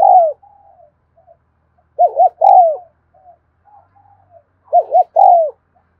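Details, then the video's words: Spotted dove in the afternoon delivering doubled coos: a quick wavering pair of short notes leading into a longer falling coo, spaced a few seconds apart with faint soft murmurs in the gaps. "tiếng cu thúc gù hay và liên tục"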